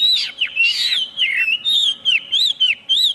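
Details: Chinese hwamei pouring out a loud, varied song of buzzy and whistled slurs, rising and falling notes strung together with short breaks, against a quiet low hum.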